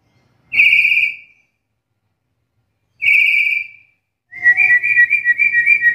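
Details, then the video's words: Black-capped lory, its call described as rare among lories and suited for training songbirds: two flat, clear whistles, then a quick warbling run of fluttering whistled notes. "Suara panggilan burung nuri kepala hitam ini jarang dimiliki nuri lain"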